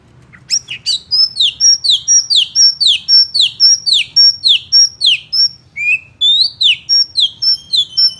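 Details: Provoking song of an oriental magpie-robin that makes other males furious: loud, steady run of sharp downslurred whistles repeated about four times a second, high and ringing, with a brief change of phrase near the end.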